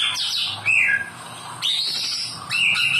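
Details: White-rumped shama song, meant to get idle or silent birds singing again. Loud, clear whistles rise and fall, including long sustained high notes, broken by brief quieter gaps. A faint low hum sits underneath.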